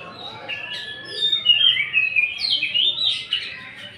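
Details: Greater green leafbird singing in a lure recording meant to stir rival birds to sing. A quiet start builds into a continuous, bright, high warble of twisting whistles and quick slurred notes.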